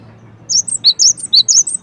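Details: Cinereous tit uttering a short run of high, piercing whistled notes that alternate between two pitches, starting after a brief quiet moment.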